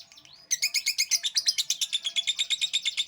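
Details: Lovebird singing a long ngekek song: after a brief soft chirp, a rapid, steady series of harsh, buzzy chattering notes, about three per second, continuing without pause on a quiet background.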